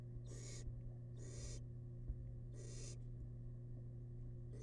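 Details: Tiny wild barn owl chick in a monitored nest box, feeding on rabbit leftovers; three harsh, broadband hissing bursts about a second apart, then the start of a fourth, over a steady low electrical hum.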